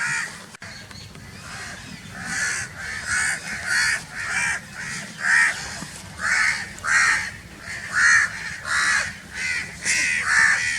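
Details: Very loud crowing of crows: a click, then a brisk series of coarse, throaty caws that build in strength and continue steadily to the end.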